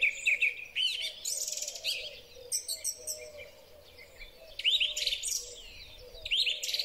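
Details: Spring song of a song thrush, recorded on a Huawei P30 Pro phone: curling whistled phrases given in pairs, interleaved with trilled and chattering notes from other birds.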